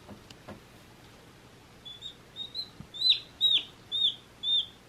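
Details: One-day-old baby chicks: quiet at first with a few faint taps, then a series of high peeps that grow louder, about two each second.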